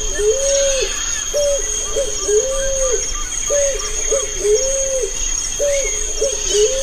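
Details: European turtle dove giving low purring coos, short rolling notes repeated in quick phrases of two or three, roughly one per second, over a steady high insect-like whine and faint calls of other birds.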